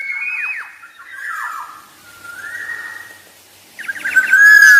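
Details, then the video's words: Black-naped oriole song: mellow, fluty whistled phrases that slur downward, separated by pauses, then a harsher, nasal, squealing burst at the end. "Kicauan Burung Kepodang Emas"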